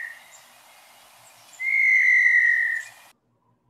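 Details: Montezuma Quail near Patagonia, Arizona: a single eerie whistle held for over a second, sliding slightly downward, after a faint brief whistle at the start, over soft background hiss.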